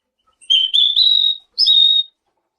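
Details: Selendang biru song used to provoke other birds into answering: a long level high whistle with slight wavers, a short pause, then a second whistled phrase starting with an upward flick.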